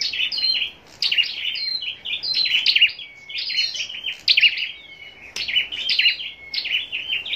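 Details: Caged scarlet-backed flowerpecker, kept for contest singing in Long Thành, Vietnam, delivers rapid chattering phrases of thin high chips with brief gaps between bursts.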